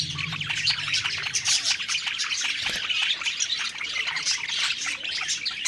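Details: Happy parakeets chattering while feeding produce a thick stream of sharp, high tweets and scratchy warbles, overlapping constantly, with a soft click partway through and a low hum early on.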